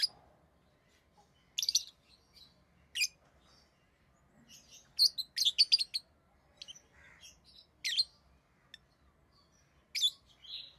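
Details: Tame pet Rosy-faced lovebirds, orange-faced green and red-headed green varieties, give sharp, high, shrill chirps in irregular bursts, several quick notes clustered together with brief pauses between.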